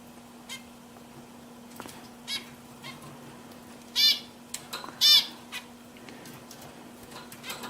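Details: Kept zebra finches giving scattered, sharp nasal beeps, two loud buzzy calls standing out a second apart amid softer clicks and chirps, with a constant low hum in the background.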